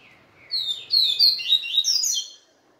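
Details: Papa-capim seedeater singing after a day with a female: a rapid, varied string of high twittering and buzzy notes, rising and falling, lasting about two seconds over a quiet background.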